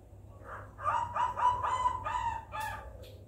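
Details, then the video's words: Spotted dove giving the 'kuk 4' style call, used as a lure to get reluctant doves to start singing: a quick run of hoarse, mid-pitched cooing notes, closing with a brighter, harsher note over a steady low hum. "Suara Burung Tekukur Kuk 4 Gacor Paling Ampuh Untuk Pancingan Yang Malas Bunyi Agar Ikutan Gacor"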